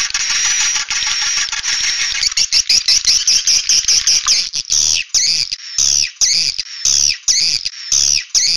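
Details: Swiftlet 'suara inap' roosting call, opening with a dense continuous buzzy twittering that breaks into fast stuttering pulses, then settles into separate high, downward-sweeping chirps about once a second.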